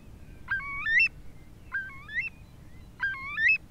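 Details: Eurasian Curlew in the breeding season, filmed in 2017, giving its distinctive alarm call as it takes off from the nest and keeps calling while flying around its territory: three loud, rising whistled calls with stepped notes about every 1.3 seconds over a low rumble.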